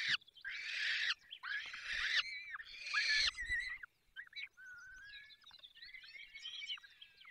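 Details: At a falcon nest in the Barycz Valley, Poland, during feeding, three harsh hoarse screeches open the recording. They give way to quieter, thin, wavering squeaks and twittering.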